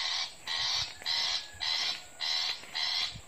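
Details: Recorded Long-tailed Shrike calls played from an MP3 as a lure in a garden behind a house one morning: harsh, raspy, buzzy calls in a steady series, about two per second, through a faint low rumble.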